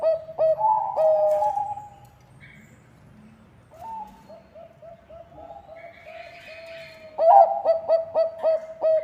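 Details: Bangkok-type zebra dove singing steadily, its song meant to draw other birds into singing. Rippling coos open the phrase, softer repeated notes follow, then a rapid burst of bright, evenly pitched coos.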